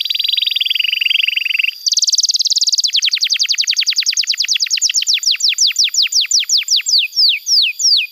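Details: Canary song meant for teaching young canaries to sing: a rapid low trill, then a higher buzzy trill, followed by a long series of downward-sweeping whistled notes gradually spacing out.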